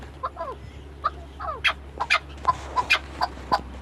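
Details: Chukar partridge giving scattered short clucking and chuck notes, some sliding downward, over a steady low hum.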